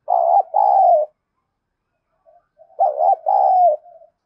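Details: Aggressive spotted dove giving thổ-voice cooing meant to incite a contest. Two strong phrases separated by a pause, each a short wavering coo followed by a longer, slightly falling note.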